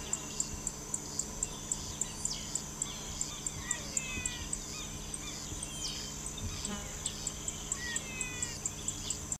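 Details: Blue-winged parrotlets (Forpus xanthopterygius), recorded 28 December 2009, give thin, high chirps and quick twittering notes at irregular intervals, over a steady ticking insect chorus and a low hum.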